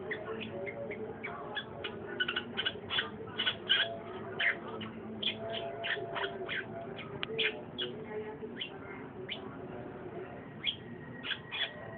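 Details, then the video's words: Long-tailed shrike pouring out an energetic song of sharp chirps and harsh chattered notes in uneven bursts, about eighty notes a minute, over a faint low hum. "burung cendet ngoceh"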